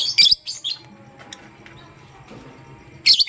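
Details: Lovebird, pastel gray and green colour forms, chirping in the morning: two quick bursts of shrill high chirps at the start, a quiet gap, then another loud chirp burst at the end.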